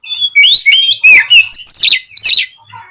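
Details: Oriental magpie-robin (kacer) song used as a lure to push a lazy bird into spreading its tail and fighting: loud, varied whistled phrases sliding between high and mid pitch, with short sharp notes in quick succession.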